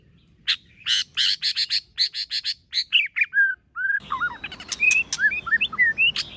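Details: Competition singing by a white-rumped shama with many voices: a fast series of harsh, rasping chatter bursts gives way to a run of varied clear whistles, upslurs and downslurs, busy and continuous.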